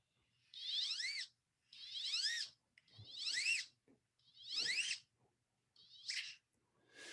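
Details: A male Wood Duck, the vocally weaker of the sexes, gives thin, high, rising whistled calls, each about a second long, repeated roughly once a second with short pauses between.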